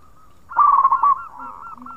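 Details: Local zebra dove giving khong-style song meant to stimulate other birds: a loud, rolling burst of low cooing that trails off into softer, evenly spaced hollow notes.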